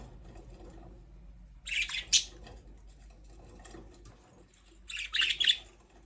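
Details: Budgies give two short bursts of bright, scratchy chirping a few seconds apart, with quiet low hum between them.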